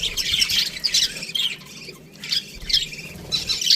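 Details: Budgerigar flock in an aviary giving bursts of shrill scratchy chirps and warbles, a brief lull midway, then renewed chatter.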